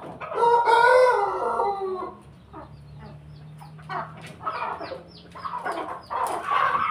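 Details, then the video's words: Chicken from a gathered flock of pelung, Bangkok and laughing (ketawa) chickens; a loud, rich, harmonic crow opens for about two seconds, then quieter clucking and chatter from several birds follow. "kumpulan ayam pelung Bangkok ayam ketawa bersama keluarga ayam"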